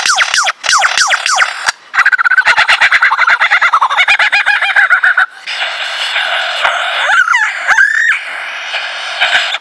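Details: Male lyrebird running through his repertoire: descending laser-like zaps, then a long rapid burst of metallic rattling notes, then whistled swoops, all loud and close.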